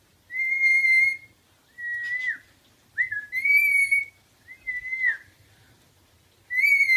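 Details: Indoor pet rainbow lorikeet mimicking a tune whistled by its sitter: clear, steady, high whistled notes about a second long, some ending in a quick downward bend, repeated with pauses, over a faint low room hum.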